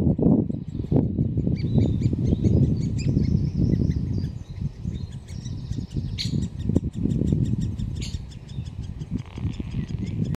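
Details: Great spotted woodpecker chicks in the nest at Solleveld, 26 May 2018, as mother and later father come to feed; one red-crowned youngster pokes its head out, chattering encouragingly. Rapid, repeated high ticking chatter over a steady low rumble of background noise.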